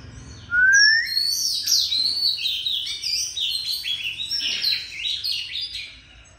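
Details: Oriental magpie-robin singing at home in Vietnam, a long continuous song begun by a rising whistle, then a rich jumble of fast warbled, slurred and chattering notes held for several seconds before fading.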